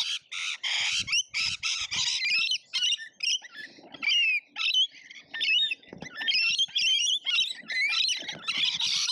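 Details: Loud lorikeets in a frenzied feeding session at an Australian feeder, a near-continuous chorus of harsh, grating screeches in short bursts, many birds calling over one another.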